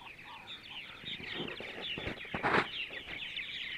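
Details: Purple martins calling on a sunny Sunday morning in central Ohio; a continuous high, gurgling chatter of overlapping chirps, with a few brief louder clicks and knocks partway through.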